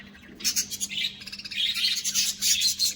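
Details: A caged budgerigar colony chattering: dense, buzzy, warbling chirps running almost continuously, with rapid scratchy notes crowding together.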